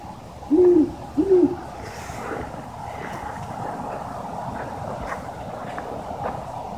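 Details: Great Horned Owl, said to be a mating call, perched above a farm silo and possibly hunting rabbits, giving two deep, soft hoots in quick succession early on, followed by quiet and a steady low background rumble.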